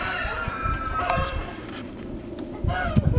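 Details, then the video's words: Red Blue Wyandotte chickens, 2020 breeding stock: a drawn-out tonal crow-like call held steady, followed by softer clucks and a final short call, over a steady background rumble. "2020 Irklarımızdan Red Blue Wyandotte."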